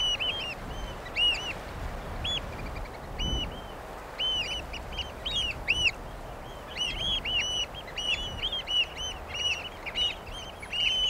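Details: Eurasian oystercatcher, the common pied oystercatcher, giving loud, shrill, piping kleep notes in overlapping rapid bursts, as if several birds call together, with brief pauses between runs and a low background rumble throughout.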